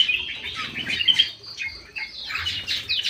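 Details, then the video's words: Bulbul singing energetically in an aviary: dense, slightly rough twittering with a few clear whistled notes, swelling and fading over three seconds. "KUTILANG EMAS MATA PUTIH SUPER GACOR"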